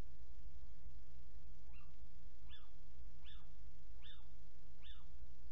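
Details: Little owl calling near its nest box about six minutes after leaving it, 29 January 2019; short sharp notes repeated roughly every 0.8 seconds against steady low electrical hum and hiss.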